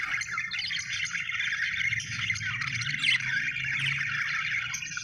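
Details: Budgerigar chirping: continuous soft twittering and warbling chatter, fairly even in level, over a steady low hum.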